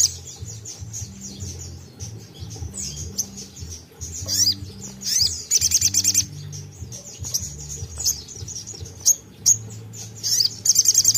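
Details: Crimson sunbird in energetic 'tembakan' song, used to stimulate untrained sogon birds to sing: very high, rapid metallic chirp trills in bursts, with pauses between phrases, over a low steady background music bed.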